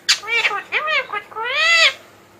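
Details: Pet Indian ringneck parakeet talking: a loud, high-pitched burst of speech-like syllables with stacked harmonics, short rising and falling notes ending in one long arching phrase, over a quiet background.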